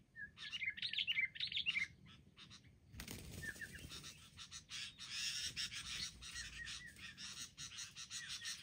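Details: Wild sooty-headed bulbuls ganging up together: about two seconds of bright chattering and whistles, then a sudden burst of rough broadband noise, with faint whistles continuing beneath it.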